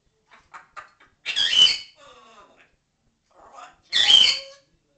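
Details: Pet parrot talking and swearing, apparently indoors; soft chattering syllables lead into two loud, harsh, screechy voice-like bursts, separated by quieter mumbled phrases.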